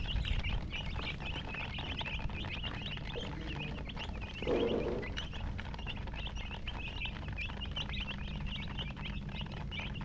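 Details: Chicks chirping steadily for about ten seconds, quick high peeps in clustered bursts, with a brief louder mid-pitched noise around the middle and constant low hum.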